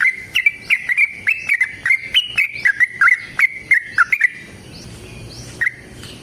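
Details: Yellow-vented bulbul singing a long, combative trill to draw answers from caged birds: four seconds of quick, liquid whistles wavering up and down, then near quiet broken by one last short note.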